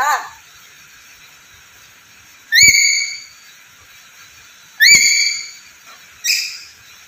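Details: Vocal, talking Black-capped lory giving three loud calls about two seconds apart. Each starts with a quick upward-flicking whistle, then holds a rich, slightly buzzy tone before fading. Sharp clicks mark the first two calls.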